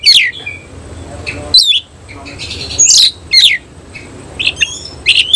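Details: Caged Cililin-type oriental magpie-robin singing with spread tail; short bright whistles and sharp downward sweeps repeated in small bursts, with pauses between.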